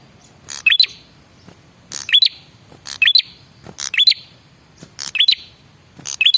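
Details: Male red-headed prinia lure call, used to prompt other prinias to answer: short bursts of sharp, high chirps with a quick rising note, repeated about once a second in an even pattern, over quiet low background hiss.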